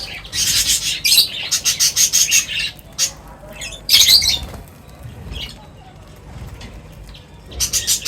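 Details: Birds crowding together at feeding time give rapid series of harsh, high squawking notes, pausing for a quieter stretch before another quick burst at the end.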